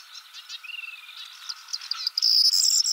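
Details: Singing male corn bunting on a twig, Czech Republic, Central Europe: softer background bird warbles first, then a bright, dense, high jangling rattle bursts in near the end.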